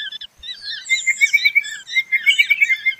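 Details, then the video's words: Pardalote with a steady stream of high, quick, bubbling chirps and trilled notes, sharp and evenly paced, with thin overlapping twitters throughout. "BEST PARDALOTE SOUND COMPILATION"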